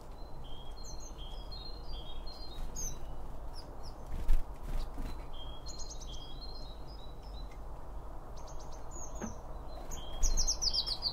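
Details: Feeder birds eating and calling, recorded binaurally beside the seed: rapid high chirps in quick series with occasional pecking knocks and a bright trilled burst near the end, over low steady rumble.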